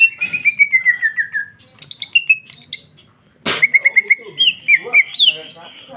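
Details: Singing female cucak ijo, green leafbird, in loud 'ngeplong' style: a descending run of quick whistled notes, scattered chips, one harsh burst, then a fast series of clear repeated whistles.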